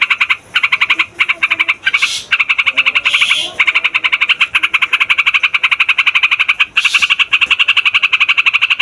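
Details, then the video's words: Yellow-vented bulbuls in a noisy, long chorus of bubbly, chattering notes, fast and dense, several birds overlapping with brief harsher bursts. "TRUCUKAN RIBUT"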